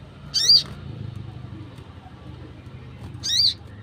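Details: Wild sunbird call used to lure wild birds: two sharp, high, buzzy notes with a quick rise and fall, about three seconds apart, over faint low background hum.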